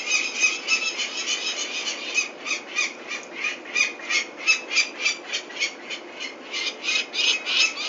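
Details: Venlo, Netherlands, 21 May 2024: a peregrine falcon calls while its chicks are taken for ringing, giving a long run of grating, evenly spaced notes, roughly three per second, with strong rhythmic pulses.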